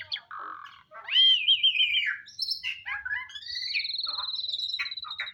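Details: Asian pied starling (jalak suren) kept in care, singing actively all day: a loud swooping whistle, wavering warbles, harsh chatters and a long steady trilled whistle held for over a second.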